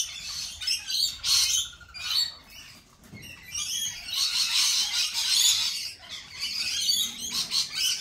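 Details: Noisy lorikeet flock at a lorikeet cafe, with dense, overlapping shrill screeches and rasping chatter almost continuously, briefly dipping before rising again.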